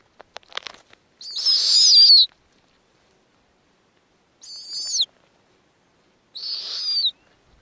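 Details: Snowy owl at a nest holding five eggs and newly hatched nestlings, the female feeding them small pieces. Three drawn-out, harsh, whistled squeals, each about half a second to a second long, with soft clicks and rustling before the first.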